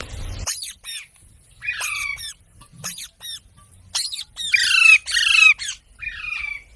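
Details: Loud grating parrot squawks repeated in irregular bursts, a few stretched and harsh, with short silences and a faint low thump between them.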